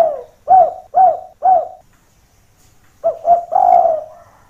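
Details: Lure call of a spotted dove whose rival voice brings other doves down to investigate. Three short, evenly spaced coos, a pause, then two quick coos run into one long, drawn-out final coo.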